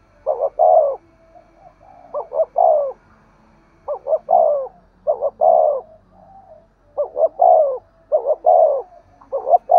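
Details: Spotted dove cooing, used to lure and stimulate other doves: low, mellow coo phrases of two short notes and a longer falling note, repeated about every 1.5 seconds with faint soft notes between.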